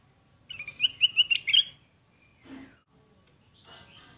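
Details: A sooty-headed bulbul sings a quick run of five bright, bubbly whistled notes, followed by a brief rough rasp and a fainter chirping phrase.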